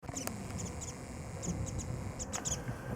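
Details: Warbling white-eyes calling while busily feeding on nectar of early-blooming cherry blossoms at Kitago Station, Nichinan, Miyazaki, Japan; scattered short, high, thin chip notes, some in quick pairs, over low background rumble.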